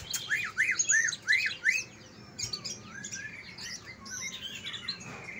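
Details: Song of greater green leafbirds from Kalimantan and Banyuwangi, played to encourage lazy leafbirds to sing: five loud, evenly spaced arching whistled notes, then a quieter rambling mix of twitters and short whistles.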